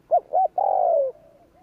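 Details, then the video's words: Spotted dove's lure-style coo: a pair of brief, clipped coo notes and then a drawn-out coo gliding gently downward, with faint quiet coos trailing afterward. "Tiếng cu gáy gù kích chuẩn"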